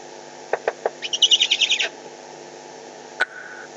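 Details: Eurasian eagle-owls squabbling over prey in the Eifel, 21 May 2020: a few dull knocks, then a loud rapid burst of shrill, rattling, chattering notes lasting nearly a second, followed by a single sharp click.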